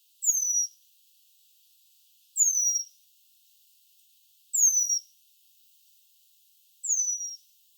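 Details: Eurasian penduline tit, a rare breeding bird in the Netherlands, gives a faint call: four thin, very high, drawn-out descending whistles, about one every two seconds, with silence between.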